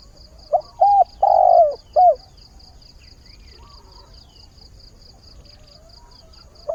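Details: At the start of a new day, a decoy spotted dove coos for a mate: one clear phrase of a short note, a held note, a long swelling coo and a dropping last note, then quiet with a steady high pulsed ticking.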